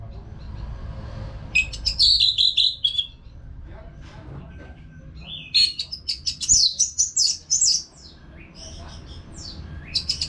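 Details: Caged orange-headed thrush in a nonstop song session meant to coax other birds into singing: rapid warbled runs of high whistles alternate with short pauses, plus a faint low hum.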